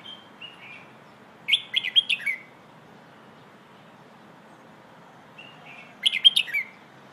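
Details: A red-whiskered bulbul sings two short "hoe"-style training phrases about four seconds apart, each a quick run of bright, bubbly whistled notes with a few softer notes leading in.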